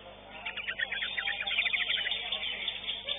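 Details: Competition greater green leafbird, a third-place winner, delivering a fast stream of high chattering, twittering notes that run almost continuously, over background voices and arena noise.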